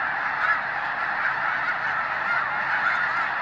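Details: Overlapping honks from a flock of snow geese at the Hayton Snow Goose Reserve near Conway, Washington, in the Skagit Wildlife Area; a few clearer single yelps rise briefly above the steady din.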